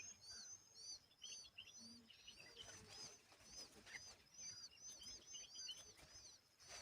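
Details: Rapid, repeated arched chirps, high and thin, pour out almost continuously as an Asian babbler cleans bugs and guards its babies; a few lower squeaks mixed in.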